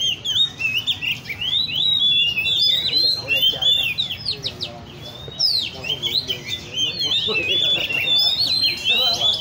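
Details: Caged Oriental magpie-robins at a bird cafe in Lê Thị Riêng park, kept by enthusiasts, sing together: a dense, overlapping stream of bright whistled phrases, sharp upslurs and warbled notes, nearly continuous, with a low murmur underneath.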